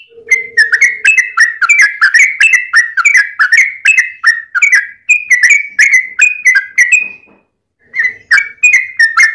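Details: Yellow-vented bulbul fighting song, used as a lure to make other bulbuls sing: a steady stream of warbled, bubbly two-toned phrases about three per second, a short pause, then more phrases.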